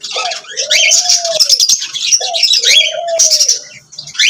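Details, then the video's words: Lovebirds singing and chirping: dense overlapping high chatter and squeaks, with two long rising-then-falling lower whistles. "Lovebirds singing and chirping sounds"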